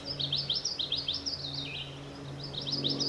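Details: Common yellowthroat singing a continuous series of quick, high, rolling phrases, each a short descending-rising slur, repeated several times a second with a brief pause mid-way, over a steady low hum.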